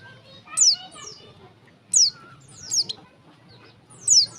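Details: A female warbling white-eye calls to stir males into song. Loud, sharp falling chirps repeat every second or so, some doubled, with softer high twitters between them.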